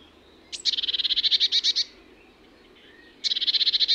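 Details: Eurasian blue tit giving a high, rapid trill of about fourteen evenly spaced notes lasting over a second. After a quiet pause a second, similar trill starts. The background is otherwise still.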